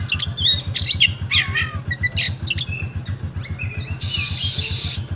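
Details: Caged oriental magpie-robin in Pemalang, Central Java, Indonesia: rapid sharp chirps and twittering notes, then a harsh sustained rasping burst near the end, over a regular low drum-like thumping.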